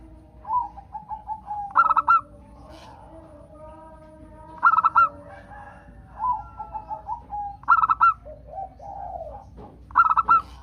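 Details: Local zebra dove, sung to prompt other doves to sing. Short runs of soft ticking notes precede each of four loud, rapid stuttering phrases spaced about every three seconds.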